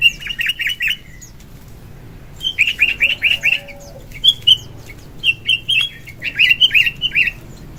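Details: Sooty-headed bulbul singing energetically in the morning, a lure song used to attract birds: quick bursts of four to five bright, chattering notes, pausing between phrases, with a few higher whistled notes late in the sequence.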